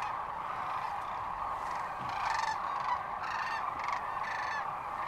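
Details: Sandhill cranes at Rowe Sanctuary, Gibbon, Nebraska, March 13, 2014: loud rattling, trumpeting calls from nearby birds rise above the steady roar of a huge calling flock, several bursts in the second half.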